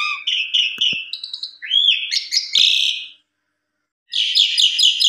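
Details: Stirred up by a rival, an Asian pied starling delivers a run of repeated whistles, a swooping rising-falling slur and harsh chatter, pauses about a second, then resumes with rapid buzzy notes.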